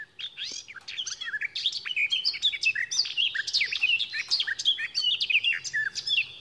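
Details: Garden warbler (Sylvia borin) song: a fast, continuous babbling warble of mid-to-high notes, running evenly for over six seconds with little change in tone and no distinct ending flourish.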